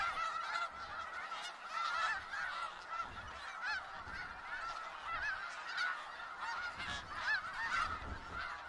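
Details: Snow geese massed in Skagit Valley give a steady wall of honking, many nasal calls blending together with occasional louder near birds, plus soft low rumbling in the background.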